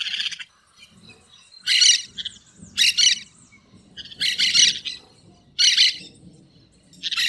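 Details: A green parakeet singing in the wild gives harsh, buzzy chattering bursts of about half a second, roughly every one to one and a half seconds, with a faint low rustle between them.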